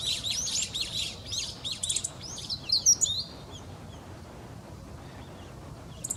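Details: Meadow bunting singing a quick, dense phrase of high, sharp, tumbling notes for about three seconds, then a pause with faint background noise and a brief final chirp.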